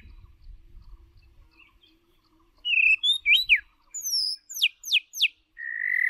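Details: White-rumped shama lure bird singing clear, loud whistles: a steady note, a few twisting phrases, then rapid high down-slurred sweeps and a final long level whistle, with faint rumbling early on.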